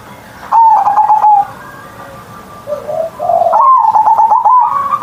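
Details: Zebra dove (perkutut), a kept hobby bird singing in the morning in a big-voiced ngerot style. Rapid rolling coos near one pitch come in two bursts, a soft lower coo sits between them, and a faint hum runs underneath.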